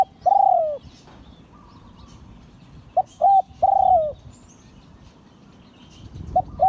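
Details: An auspicious-line spotted dove gives repeated 'liu tan' style crowing. A long sliding coo ends one phrase. The next phrase runs short, medium, then long with a falling tail. A new phrase starts at the end.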